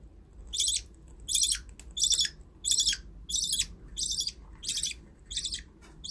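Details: Pet budgerigars giving harsh, scratchy chirps in short bursts, repeated steadily about every three-quarters of a second, with a low background hum throughout.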